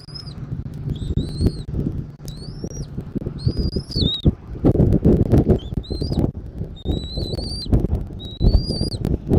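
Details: Eagle at the nest in Southwest Florida, recorded by a nest camera on 13 January 2024 in the afternoon; rapid run of high rising and falling whistles amid strong wind rumble and rustling.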